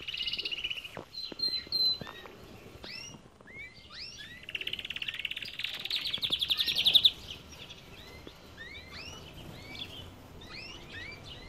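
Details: Aviary of Belgian canaries: scattered rising whistled chirps throughout, with a loud buzzy trill that builds for about two seconds before stopping, then more sparse chirping.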